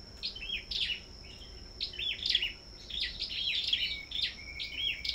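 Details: Sâu đầu đỏ at a bird farm singing competitively. Clusters of high, thin chirps and twittered phrases come roughly every second, ending with a drawn-out whistled note, over a constant high whine.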